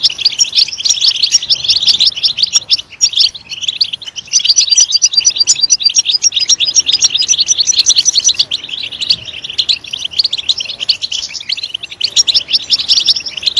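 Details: Long, loud European goldfinch song meant to motivate other goldfinches: an unbroken, fast jangle of high chirps, trills and twitters, with one brief dip around the middle, over a soft hiss.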